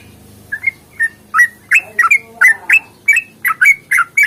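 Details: Sooty-headed bulbul in long-rolling fighting song, played to coax birds into singing: soft, sparse whistled notes that build into a quick run of bright, bubbly, slurred chirps, roughly four per second.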